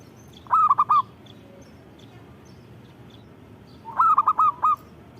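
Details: Local perkutut, or zebra dove, singing with vigour: two cooing phrases of three to five rolled notes about three seconds apart over quiet background noise.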